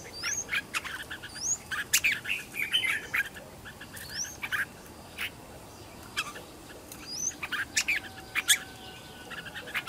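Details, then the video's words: Home-trained red-whiskered bulbul decoy for luring wild birds: short upslurred whistles return every few seconds between bursts of buzzy chatter, with quieter gaps and a low steady drone. "Chào mào mồi gọi bổi"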